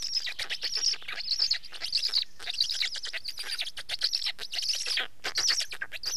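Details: Black stork producing a steady run of harsh, breathy bursts topped by high whistling tones, repeated roughly one and a half times per second.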